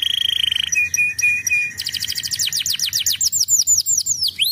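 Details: Lure song of a canary, meant to get juvenile canaries singing back. A brief rattling trill leads into several short even whistles, followed by rapid cascades of steeply falling high notes and a closing upward slur.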